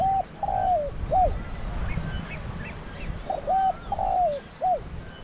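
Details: Spotted dove decoy used for trapping in Thailand, cooing two full phrases about three seconds apart, short note, long falling drawn coo, short hooked end, with faint high chirps from other birds between.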